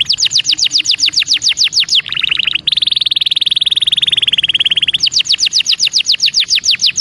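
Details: Belgian canary song as a training track for young birds: repeated falling whistles about three per second, a brief rattle, a long rapid even trill, then falling whistles again.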